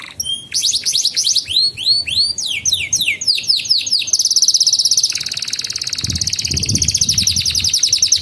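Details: Canary song used as a training lure for young canaries learning to sing and to coax silent birds: rapid rising whistled sweeps, dense repeated rattling phrases, then a long high buzzy trill and fast pulsed rolls.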